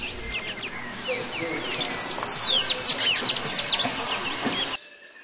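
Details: Golden-chevroned Tanager, a fruit- and insect-eating tanager resident in southern and southeastern Brazil and Bahia, giving a rapid jumble of high squeaky chirps and thin sliding notes, building in loudness, then stopping abruptly; faint background noise.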